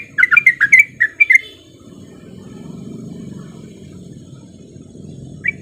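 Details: Male sooty-headed bulbul lure song; a brief rapid string of about eight bubbly chirps, then a long quiet stretch with low rumbling noise and one last lone note.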